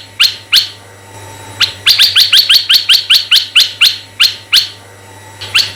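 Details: Red-eyed bulbul calling as a lure for male and female bulbuls: two opening chirps, a pause, then a fast volley of a dozen harsh rising notes slowing toward the end, with low hum underneath.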